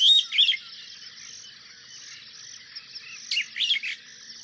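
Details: Superb starling making squeaky, chattering chirps: one burst at the start and a second cluster partway through, with a continuous high hiss behind them.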